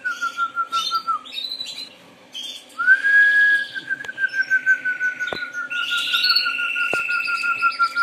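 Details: Harz Roller canary song: a low, smooth, sustained rolling tone that pauses, then returns as a long even roll, with higher chirping and trills from other canaries over it and a few sharp clicks.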